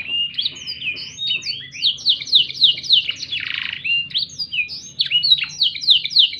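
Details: Black-throated canary tutor song for training captive canaries: a fast, continuous run of high sweet trills and slurred whistled notes with rapid downward sweeps and buzzy phrases, about three notes a second.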